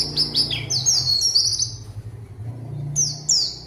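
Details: Zosterops song meant to lure a rival and start silent birds singing; quick high chirps and sweeping twitters, fading then resuming near the end, over noticeable low rumbling background noise.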